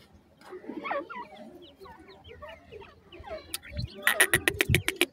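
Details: Grey francolin chicks peep softly in short, falling chirps while playing, followed by a run of loud, sharp tapping clicks near the end.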